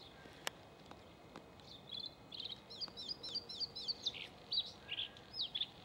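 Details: A male Bluethroat sings a quick, varied run of high chirps and twanging notes, phrases tumbling one after another; two faint clicks come just before.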